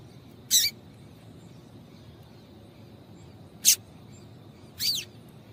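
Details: Female double-collared seedeater giving short, high, buzzy chips, used to encourage a male to sing. Three chips are heard, the last one with a slightly descending sweep.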